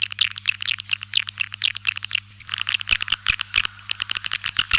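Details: White-nest swiftlet calling recording meant to attract swiftlets: scattered high chirps and twitters, then a busier burst of rapid clicking chirps in the second half, with a faint low hum throughout.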